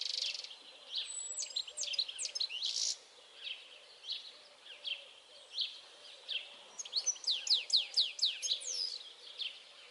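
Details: Song of a European goldfinch recorded 22 May 2021: liquid twittering with buzzy notes, pausing, then a burst of rapid descending chirps near the end; soft background hiss.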